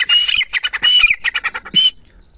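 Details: Female grey francolin calling: rapid series of harsh, high squawking notes with whistled upper tones, about ten bursts in two seconds, then a short pause; a person's voice briefly audible.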